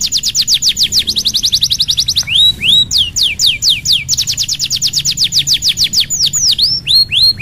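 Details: Canary song played to get reluctant canaries singing: a fast even trill, a pair of rising upslurred notes, then sharp descending whistles and another quick trill ending in swooping calls.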